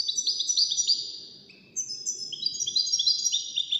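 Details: European goldfinch in a song contest among five wild-caught birds: rapid, liquid twitters and sharp high chips run together, dip briefly with one lower drawn-out note, then a dense tinkling stream returns.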